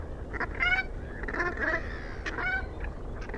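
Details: Brant goose giving short, hoarse, nasal calls in irregular bursts with layered harmonics, against a steady low background rumble.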